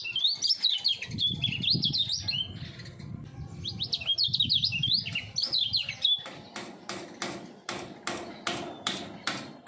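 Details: Common iora, a caged three-year-old contest prospect singing full speed with a double voice: two bursts of fast, jerky whistled trills, then a steady series of sharp clicks about every half second.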